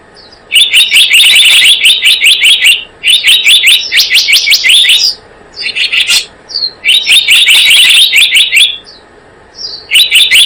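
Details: Blue-eared kingfisher sound for luring birds: loud, piercing, high notes fired in quick rattling runs of two to three seconds, separated by brief gaps holding a few isolated chirps.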